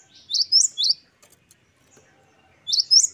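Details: Short snatch of gelatik batu (Great tit) song in wucit2 style, three sharp high whistled notes, a quiet gap, then the phrase starts again.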